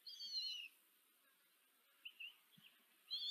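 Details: Common kestrels at a nest in Tiszanagyfalu, Hungary, 14 July 2023, on a live nest camera, with a female feeding four chicks. A loud wavering whistled call opens, short faint calls follow near the middle, and another loud call closes.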